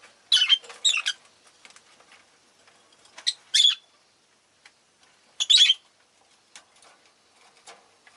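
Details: Rosy-faced lovebirds, a group kept as pets, all calling fairly often that day; harsh, shrill squawking chirps come in short bursts about every two seconds, with quiet gaps and faint street noise between.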